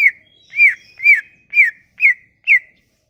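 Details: Sumatran leafbird, played as a lure to make silent leafbirds sing, gives six arched whistled notes in steady rhythm, roughly two per second, each rising slightly and then falling.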